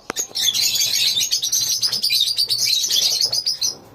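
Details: Lovebirds in a colony, a dense chorus of high shrill chirps and squeaky twitters overlapping continuously, with a brief sharp click near the start.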